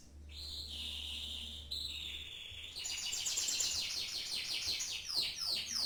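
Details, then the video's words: Singing canary, likened to a famed champion, opens with long steady whistled tones, then breaks into a rapid high rolling trill and falling sweeps, with a constant low hum. "kenari mirip sang legenda tc1"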